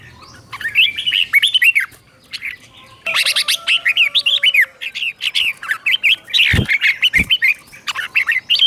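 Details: Captive red-whiskered bulbul teacher bird in Thailand, singing doubled 'berl' style phrases played to stimulate and train other caged bulbuls: bright warbled, slurred notes in quick bursts, a pause near two seconds, two dull thumps near the end.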